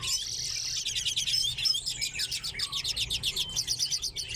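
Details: Common redpolls in an aviary shared with chaffinches; a dense chorus of high, rapid chattering notes, with a quick rhythmic trill of repeated pulses over the second half and overlapping twitters throughout.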